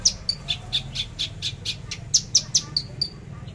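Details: Javan bush lark in trotol tembakan song, a fast series of crisp, high staccato notes, some slightly lower and softer, building into louder sharp shots near the end.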